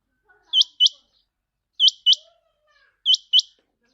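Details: Lure call for catching quail: three couplets of quick, high, rising whistled notes about 1.25 seconds apart, with faint soft chirps in the background.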